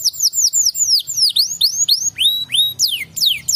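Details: Canary singing to make other canaries respond, giving rapid falling double notes, then slower drawn-out upward and downward whistled slurs roughly once a beat.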